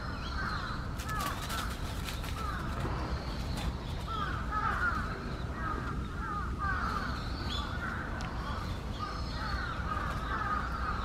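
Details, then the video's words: Agitated night herons at Sanpoji Pond make repeated coarse, crow-like squawks every second or two, some clipped and some dragged out, over a constant deep background rumble. "Nightherons get angry once in a while."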